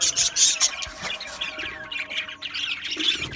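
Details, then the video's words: Budgerigars from an Australian budgie aviary colony, rapid high squeaky chirps at the start followed by softer, continuous warbling chatter from several birds. "Beautiful Australian Budgie birds Chirping Sounds"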